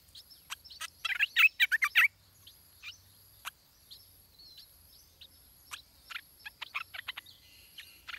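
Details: Nestling stripe-throated bulbul at feeding time as parents bring food; scattered sharp chips build to a loud rapid bout of harsh, buzzy chattering notes, then trail off into short high ticks and small clustered calls.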